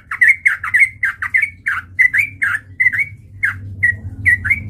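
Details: Sooty-headed bulbul, male, lure song meant to provoke fighting: dense bursts of bubbly, slightly rising whistled notes in quick pairs, then sparser single notes toward the end, low hum behind.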